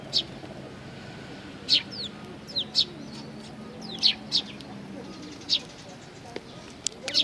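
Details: Fledgling sparrows gathering at food at Tenmangu, Nakanoshima, 25 May 2020, give scattered high, clipped chirps, some in pairs, with longer gaps between and a quiet low background hum.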